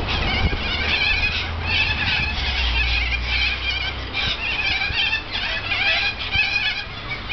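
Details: Many corellas calling together while feeding in a Norfolk Pine tree close to an apartment balcony. A continuous chorus of grating, squawking cries, rising and falling in intensity, over a low droning background.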